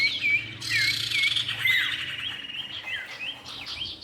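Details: Whistled calls of a common iora pair, male and female: four looping two-part notes in the first second or two, then scattered higher slurred whistles and a brief noisy burst.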